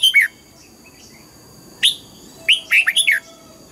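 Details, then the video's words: In morning song training, a red-whiskered bulbul delivers the mature wild double-note style: a paired whistle, a lone note, then a rapid run of four warbled, bouncing notes, all over a soft steady hum. "Luyện giọng chào mào hót sáng, ép chào mào hót âm kép già rừng hay tuyệt!"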